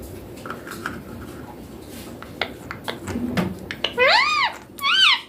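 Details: Green baby Indian ringneck parakeet, reportedly talking Hindi, mummy papa: quiet clicks and soft sounds, then two loud arched harmonic vocal phrases about a second apart, the first longer.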